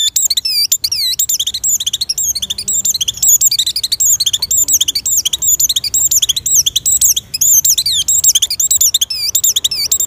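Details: Oriental white-eye in breeding condition singing to lure other white-eyes: a long, unbroken, energetic stream of very high looping whistles and quick chirps, rising and falling rapidly, with a quiet background.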